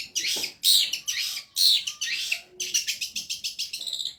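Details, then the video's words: Long-tailed shrike in full, vigorous song on a bird-training recording: harsh, scratchy phrases with brief pauses, then a fast, even run of short, sharp chips. "MASTERAN BURUNG CENDET GACOR PARAH"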